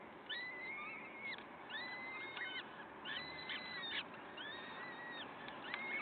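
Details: A peregrine falcon at the nest in Wakefield on the morning of 5 May 2021 repeats thin, arched, wavering wails in a steady series against heavy background hiss.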